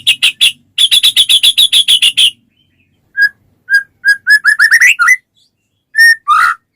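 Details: White-rumped shama song meant to trigger other shamas to sing: rapid repeated bright chips, then spaced whistles accelerating into a rising flourish, and a final few whistled notes.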